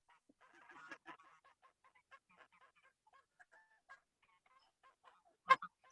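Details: Geese at a zoo give a chatter of short, nasal honks through the first seconds, thinning to scattered calls, then one loud close honk near the end.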